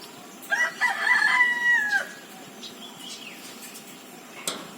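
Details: Green peafowl giving one loud, harmonic, nasal call of about one and a half seconds that holds steady, then drops sharply at the end. Faint hiss and a soft click follow.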